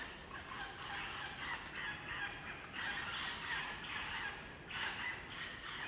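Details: Crimson rosellas, a group in the Australian bush at Barrington Tops National Park, New South Wales; repeated harsh brassy squawking notes in bursts of about a second, chattering steadily throughout.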